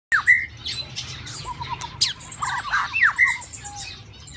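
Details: White-rumped shama caged during the mating season: loud sharp whistled notes slurring down near two seconds and again at three seconds, buzzy fragments and high chirps, with a low wavering note series in between.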